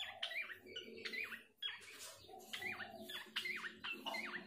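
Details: Abbott's babbler recording used as a lure to provoke the bird into singing: harsh, chattering bursts with quick downslurred notes, repeated in clusters about every half second, with a low rumbling hum underneath.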